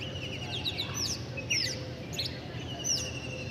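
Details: Scattered sharp high chirps from birds, separate short tweets about every half second, with low humming background noise.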